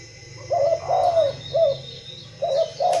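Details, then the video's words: Spotted dove cooing: low, mellow coo notes in a three-note phrase followed by a two-note phrase, with soft hum in the background. "ĐÂY MỚI LÀ CHIM CU GÁY"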